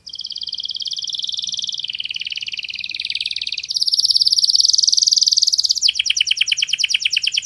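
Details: Canary singing a very clear master song: a sustained rolling trill steps up to a louder, higher trill, then changes to slower, regularly pulsed downward notes.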